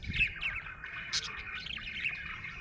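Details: Cheerful budgie produces a lively stream of rising and falling chirps and buzzy warbles, with one sharp squeak in the middle and a light low thump early on.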